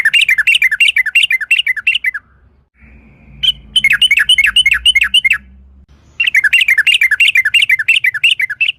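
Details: Sooty-headed bulbul used as a lure to trigger song: long runs of fast, bouncing chattered phrases repeated several times a second. The runs are broken by pauses carrying a low mechanical hum.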